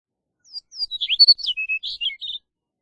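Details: Chestnut-collared Longspur delivering a short, musical warbled song of thin slurred whistles and rapid sweet phrases, about a dozen notes in under two seconds, clear against silence.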